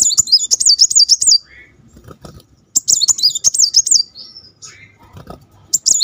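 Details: Muncang sunbird performing tembakan roll song to lure other Muncang into singing: two long rolling phrases of shrill, rapidly oscillating whistles, then a short slurred note and scattered faint clicks.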